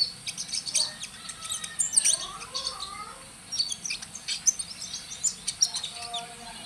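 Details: Magpie-robin singing vigorously, described as a promising future contest champion: scattered high chirps and short whistled phrases come in irregular bursts, with a few lower sliding notes around the middle and a steady low background hum.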